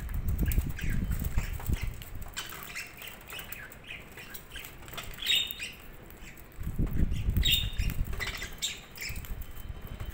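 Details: Chattering budgerigar chirps run throughout, quick and uneven, while two spells of low rumbling, rustling noise rise beneath them at the start and again past the midpoint.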